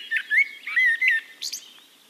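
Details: A singing Eurasian blackbird in Castricum, the Netherlands, gives a brief phrase of low, rounded whistled warbles followed by a thin, squeaky high twitter.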